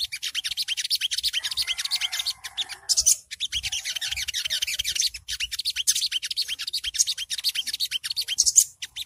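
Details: Riwikan chatter of a Long-tailed Shrike, meant for early song tutoring and to make other birds respond: a continuous stream of fast, harsh, high-pitched notes, with one short break near three seconds.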